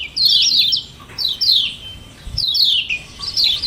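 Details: Lure recording of common iora 'ciak ciak' calls meant to make other birds answer. Four short bursts of quick descending chirps, roughly one per second, are separated by quieter pauses.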